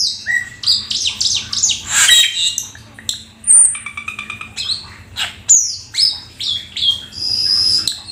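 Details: Black-winged starling, described as a rare exotic bird, singing a full, varied song of harsh squawks, buzzy chatter, stuttering notes and sharp high whistles, delivered in quick bursts with short gaps.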